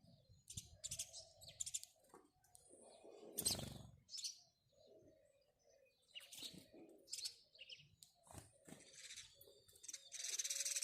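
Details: Scattered house sparrow chirps mixed with a loud brief rustle or flutter, low rumbling and a hissy stretch near the end.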